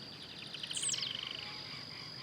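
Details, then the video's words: Wild blue-black grassquit singing while hopping about: one short, high buzzy note sliding steeply downward, set against a fast run of chipping notes from another caller and a steady high insect drone. "Tiziu Cantando Na Natureza"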